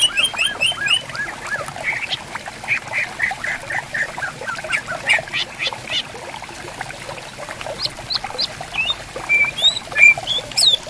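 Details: Greater green leafbirds singing actively and answering each other in bamboo forest beside a clear, gently flowing river: a busy mix of short whistled and chattering notes, with a rippling water murmur beneath.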